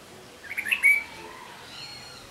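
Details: Red-whiskered bulbul beside a house giving a brief, bright chirping phrase of quick sliding whistled notes, rising then ending in a short level whistle, followed by quiet background hiss.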